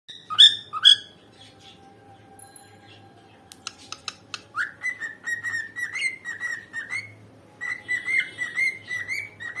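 A cockatiel whistles two loud opening notes, then a run of rapid, chirpy rising and falling phrases.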